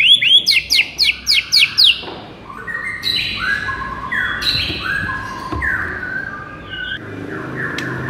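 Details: White-rumped shama song meant to rouse a sluggish bird: six quick sharp upward-swept notes, then a long varied run of whistled, sliding phrases.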